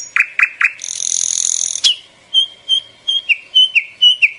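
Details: A few sharp descending chirps, a drawn-out buzzing hiss lasting nearly a second, then evenly spaced whistled notes that slur downward, repeated about twice a second.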